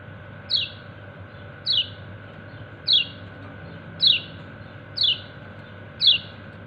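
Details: White-eye, known locally as kecial kuning, calls to its companions with six bright, downward-slurred chirps roughly a second apart against a faint constant drone.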